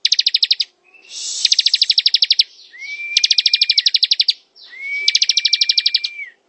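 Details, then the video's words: A ciblek (bar-winged prinia) delivering ngebren song, long rattling runs of rapid high chips lasting about a second each, with a pure steady whistle running beneath the later two runs. "Suara ciblek ngebren"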